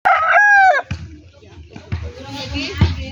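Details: Backyard rooster crowing: a loud, drawn-out harmonic crow lasting under a second, bending slightly downward at the end, followed by low rumbling noise and faint scattered sounds.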